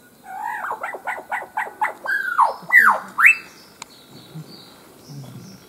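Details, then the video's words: Albert's lyrebird, a male, displaying and calling in foliage in Main National Park, Queensland, imitating other birds: a series of loud swooping whistled notes, about two per second, ending in rising slurred whistles. "Albert's lyrebird - displaying and calling"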